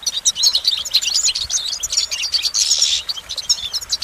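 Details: Goldfinch singing a brisk, busy phrase of high twittering notes, ending in a harsher buzzy rattle before more quick chirps.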